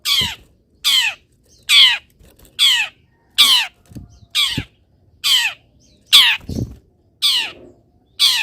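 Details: Long-tailed shrike kept caged, sprayed with water and placed in morning sunlight, giving a run of loud grating calls with falling overtones, roughly one every second, with a few faint taps between them.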